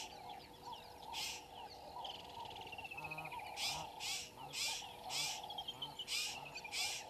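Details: Woodland kingfisher perched in a tree by the dam wall at Gowrie dam, Djuma Game Reserve, Sabi Sand Wildtuin, South Africa, 07:56 on 01/03/22, live waterhole camera: two descending beaded trills amid loud repeated rasping bursts and a steady background chorus.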